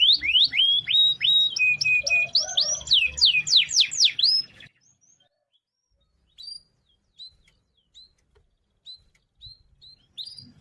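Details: Canary singing energetically with a long roll, used for daily training of other birds: a fast series of steep downward-sweeping whistled notes and a buzzy trill for about four seconds, then only a few faint chirps.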